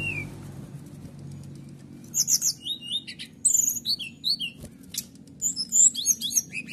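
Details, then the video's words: Canary song used to provoke other birds, starting after a quiet pause with rapid high twittering phrases, slurred whistles and trills that continue densely. "Nembak Kenari Bikin Lawan Emosian, Coba pancing Burung di rumah"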